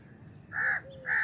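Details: House crow giving two harsh, nasal caws about half a second apart, the second cut short, over a low background hum.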